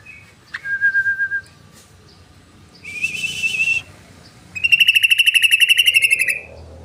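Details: Yellow-vented bulbul song played as a lure: a clear whistled note, a short noisy burst, then a loud rapid pulsed trill lasting nearly two seconds, with faint background chirps.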